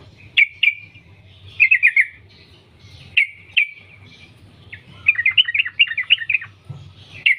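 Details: Sooty-headed bulbul (trucukan) from the wild, used as a lure to make other bulbuls sing: bright sharp chirps and short quick clusters, ending in a hurried rippling burst of notes; low background rumble.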